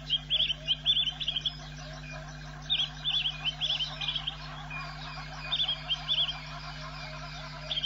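Swallow-tailed bee-eater giving high, rapid chirping calls in short bursts, with a steady low hum behind.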